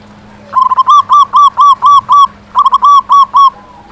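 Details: Local zebra dove, described as a vigorous singer with a big voice, its song used as a lure to make other zebra doves sing. Two rapid runs of arched, ringing cooing notes, about ten notes each, separated by a brief pause.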